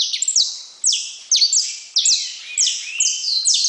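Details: Saffron finch singing spaced phrases of high, drawn-out whistled notes that slide downward, each phrase opening with a sharp attack, roughly every half second.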